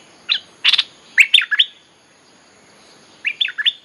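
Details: Bulbul lure song for calling wild birds, a short phrase of lively chirps and slurred notes, then a quiet gap and a final bubbly four-note phrase.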